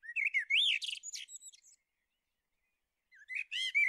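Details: Common blackbird (Turdus merula) delivering a rich warbled phrase of looping fluty whistles that ends in a high, buzzy flourish, then a pause and the start of another melodious phrase.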